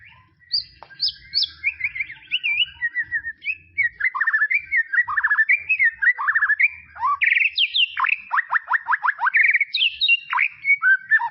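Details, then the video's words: Tropical-forest white-rumped shama singing a long, varied phrase of rich whistles. Slurred notes rise and fall and are followed by rapid clipped notes and descending strokes, all loud and continuous. "BEST SUARA KICAUAN MURAI BATU HUTAN TROPIS"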